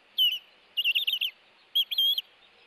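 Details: Osprey guarding its nest from an intruder, filmed by a Hellgate nest camera on 26 April 2018: bursts of shrill, whistled, downward-bending chirps, one run of quick linked notes, then a pair of longer piping calls, over faint background hiss.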